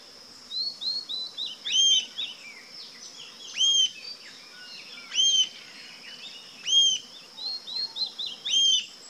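Rufous-tailed Jacamar giving sharp, high, arched notes about every two seconds, with softer chirps between them over a steady insect hum.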